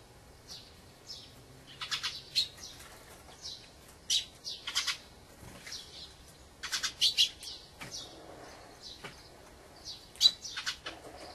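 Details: Wintering Dusky thrush, arrived from the far north, uttering harsh, clipped call notes at irregular intervals, often doubled or tripled in quick runs, against a quiet background.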